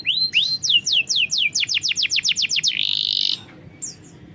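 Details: Canary song used to prompt a bird that is slow to sing: rising then falling whistled notes sped into a rapid series, ending in a short buzzy burst and a faint brief note.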